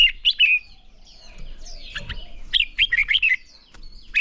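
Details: Red-whiskered bulbul singing fighting-style song for training: loud whistled slurred notes early, a quiet gap with faint chatter, then a quick run of six bright rising-and-falling whistles and a final note.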